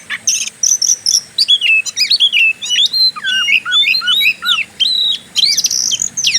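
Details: Oriental magpie-robin singing in fighter style, a long song used to provoke other birds: loud, varied whistled notes, some rising and some falling, mixed with fast buzzy bursts and sharp chips in quick, uneven phrases.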